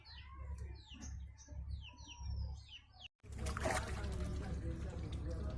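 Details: High descending peeps from Muscovy ducks, each note sliding downward, given in a loose series for about three seconds before a brief cutout, followed by noisy rustling and handling sounds over a low hum.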